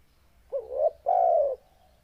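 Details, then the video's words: Spotted dove giving a deep, loud call: a short low coo rising slightly, then a longer steady hollow coo, both low-pitched and clear against a quiet background. "Suara Burung Tekukur NGEBASS Suara BESAR Dan GACOR"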